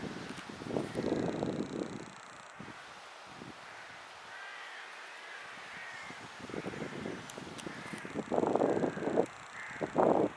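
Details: Hooded crow at Tivoli Landscape Park, Ljubljana, Slovenia, 20 October 2023, gives two bouts of harsh, rasping caws, one near the start and one at the end, with faint high whines and soft bird notes between.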